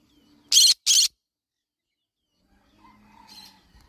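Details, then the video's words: Yellow-sided conure parrot's sharp double screech, followed by a long gap and faint soft chattering. "Yellow sided conure parrot bird sound."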